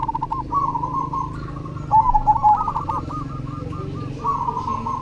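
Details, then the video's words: Perkutut cemani zebra dove singing actively: overlapping series of soft, mellow cooing notes, with a brighter stuttered phrase near the middle, over a low steady rumble. "SUARA PERKUTUT CEMANI GACOR"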